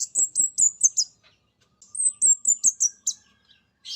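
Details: Mountain spotted orange-headed thrush lure song: two clean bursts of five or six high, piercing, slurred notes in quick succession, separated by a brief silence.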